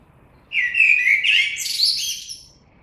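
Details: A single common blackbird phrase: a smooth, mellow whistled run that wobbles in pitch, ending in a jumble of high, strained, twittering squeaks.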